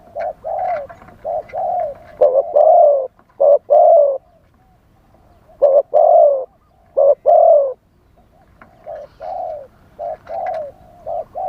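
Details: Live spotted dove calling to lure wild doves, wild-style voice: bursts of loud short-long coo pairs alternating with quieter, more distant-sounding coos over about twelve seconds.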